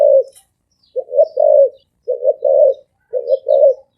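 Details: Spotted dove cooing, low hoarse phrases of a short stuttered note then a longer rolling coo, repeated roughly every second, with faint high bird chirps behind.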